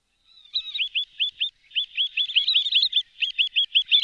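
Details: Wood sandpiper giving a run of sharp, high, downslurred whistled notes, about three to four per second, each a quick hooked 'tyip', steady in pitch and loudness throughout.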